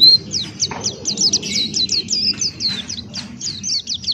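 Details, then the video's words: Male pleci, the Buxtoni white-eye, singing 'ngalas' open-beak style. A quick series of high, thin, downward-slurred notes rattles along continuously over steady low background noise. "Masteran Pleci Buxtoni Ngalas Buka Paruh"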